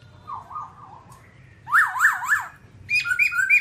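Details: A babbler, described as all black, sings zigzagging whistled trills, first soft and then loud and harsh, followed by quick paired chirping notes, over a low background hum.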